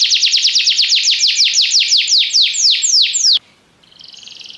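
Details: A yellow Belgian canary delivers a rapid series of descending notes that slow steadily, then breaks off abruptly, leaving near quiet with a faint, thin buzz afterward.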